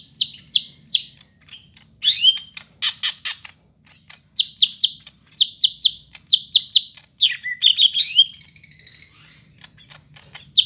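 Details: Greater green leafbird of the Medan kind, Bandung, 5 September, singing a filled song: bursts of falling chirps in quick series, interspersed with slurred whistles and a rapid trill.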